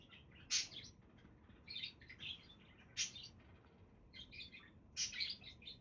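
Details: Budgerigars giving a lively mix of piercing chirps and rapid squeaky twitters, loud notes roughly every two seconds with softer chatter between them.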